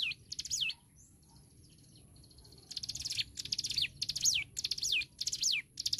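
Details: Hill prinia in lively song, used as tutor material for songbirds: after a quiet pause, a steady run of phrases, each buzzy trill notes then a clear downward-sweeping whistle, repeated roughly every half second, over faint low background rumble.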